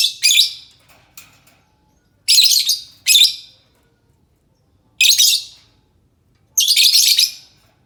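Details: Lovebird lure call meant to prompt replies from other lovebirds: seven sharp, buzzy screeches, several in quick pairs and others spread a second or more apart, against a quiet backdrop.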